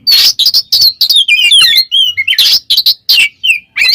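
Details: Kacer (white-rumped shama) singing to call a rival, loud and high: harsh rasping bursts alternating with quick slurred whistles and twittering phrases, delivered rapidly about three notes a second.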